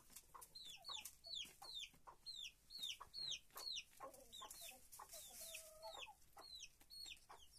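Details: Chickens in a henhouse: high, thin downslurred peeps repeated about twice a second in an uneven stream, with a few lower, softer notes mixed in.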